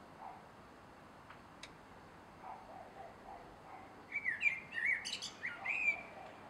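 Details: At dusk on 3 July 2016 a male blackbird in a garden sings after a quiet spell with soft clicks: a rich warbled phrase of several looping notes, finishing with thin, high twittering flourishes.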